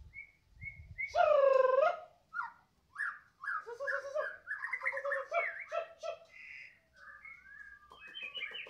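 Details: Caged White-rumped shama from Medan singing loudly: a strong descending whistle, then rapid warbled and chattering phrases and rising notes.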